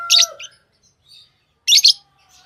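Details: Two loud, shrill, buzzy lovebird chirp bursts separated by a pause, with a faint whistled tone and soft peeps in between.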